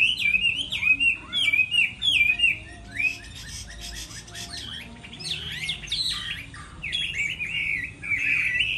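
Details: Chinese hwamei during the moult, singing in contest style: a few choppy repeated whistles open the passage, then a harsher, busier jumble of notes, and finally a rapid warbled trill.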